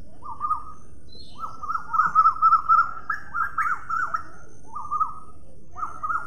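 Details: Parrot giving a run of short whistled notes around one pitch, in bursts of two to four with brief gaps, one louder cluster in the middle, over a low steady rumble.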